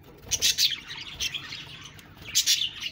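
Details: Budgerigars chirping and talking: short bright chirps in two bursts near the start and end, with quieter chatter between.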